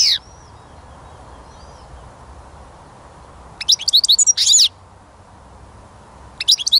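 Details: European goldfinch song, filmed while catching songbirds: brief high chirps, then a pause, then a dense twittering burst with a short buzzy phrase, followed by another twitter at the end.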